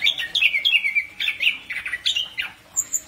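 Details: Chestnut-capped thrush singing at night, a rapid run of sweet whistled and slurred notes, about three per second, mixed with sharp high chips and a thin high whistle near the end.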